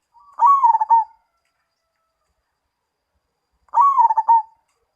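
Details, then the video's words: Two identical cooing phrases from a zebra dove, roughly three seconds apart. Each is a faint lead-in, then a stuttering run of quick pulses with a falling finish. All else is quiet. "Perkutut Mojopahit"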